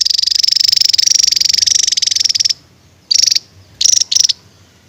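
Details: Javan tesia singing in the 'tembakan' (shooting) style: a rapid, high, buzzy pulsed trill lasting about two and a half seconds, then a pause and three short, sharp high bursts, with no other clear sounds.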